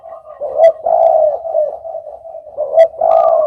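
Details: Short burst of spotted dove cooing: soft, low, wavering notes that rise into two stronger hoots, with quick clicks in between.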